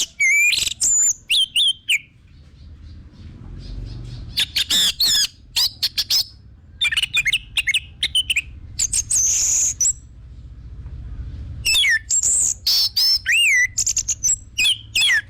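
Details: Orange-headed thrush singing as a lure to spur other birds into song, a long rich medley of loud whistled phrases, rapid sharp chirps and slurred rising and falling notes, delivered almost without pause.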